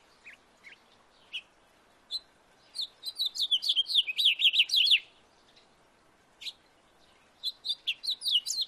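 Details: House finch singing in a backyard: a quick, bright warble of high chirps speeding into a tumbling run of descending notes, then starting again after a pause.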